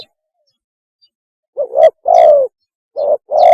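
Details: Spotted dove giving its mating call, a recording used as a lure: after a quiet start, a soft clipped coo leads into a long, steady, throaty coo, then a second short note and a further drawn coo begin.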